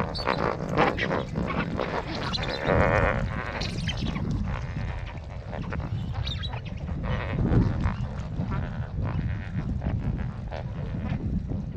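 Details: A flock of lesser flamingos in a wetland at Jamnagar, Gujarat, India, keeps up a continuous nasal, bleating gabble of overlapping calls over a heavy low rumble of wind or water.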